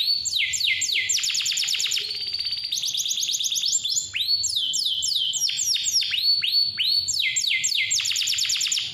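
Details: Canary song used as a lure to get young or lazy canaries singing: loud, clear, rapid rolling trills of high sweeping notes, repeated in fast bursts with barely a pause, one long steady rattle in the middle.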